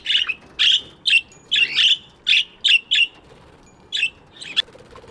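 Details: Morning chirping from budgies kept in an aviary, a rapid run of scratchy, buzzy chirps, roughly ten notes in three seconds, then a few scattered calls trailing off.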